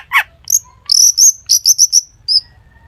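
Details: Long-tailed shrike singing a mimicry-filled song meant to prompt other shrikes to sing: one harsh falling chirp, then a run of six bright, high, clipped whistled notes in quick succession, ending with a fainter single note.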